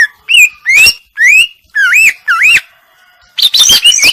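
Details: Singing female greater green leafbird in isian style: loud swooping whistles, each curving up and over, several seconds apart, followed by a quick cluster of high, tumbling notes.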